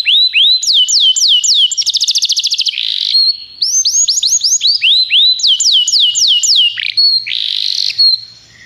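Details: Song of a Belgian canary used as a tutor: looping downslurred whistles, a burst of fast buzzy trill, then more repeated slurred notes and a few held tones.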